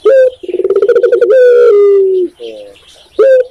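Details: Tekukur, the spotted dove of Indonesia, singing a single phrase: a short upward note, a rippling train of pulses, and a long smooth falling coo, then a quieter note and the next phrase beginning.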